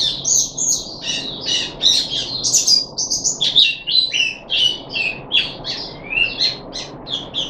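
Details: Captive puff-backed bulbul, third day after deworming, July 2021: lively, continuous chirping song of rapid high twittering notes and short whistled slurs, a few rising, with a faint low hum beneath.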